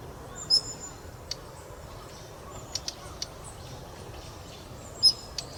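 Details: Calls of a Daurian redstart, from a set of male and female calls in three types. Two high whistled notes, about four and a half seconds apart, with a few soft clicks between.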